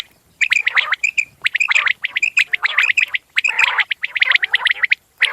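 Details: Common quail producing quick runs of piercing, chirping notes with rough undertones. The notes are packed tightly in fast, almost continuous bursts.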